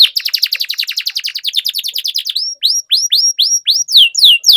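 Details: Canary singing to coax quiet canaries back into song. A fast, dense trill of descending notes slows into a series of separate arching whistles, each repeated roughly twice a second.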